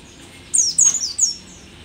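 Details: Pleci dakun, the mountain white-eye called a rare Merapi endemic, old yet lively in song; one quick phrase of three shrill, very high notes sliding downward, lasting under a second.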